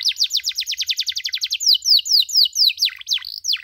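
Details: Canary tutor recording for young birds learning 'cuit cuit': a rapid trill of crisp falling chirps gives way to slower, longer swooping notes that dip lower at the end, with a clean, quiet background.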